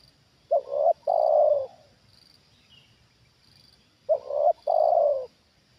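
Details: Trained spotted dove used for luring, responding to a wild bird that comes down again. Two clear low phrases, each a quick double coo followed by a longer, steady croo, with a quiet pause between them.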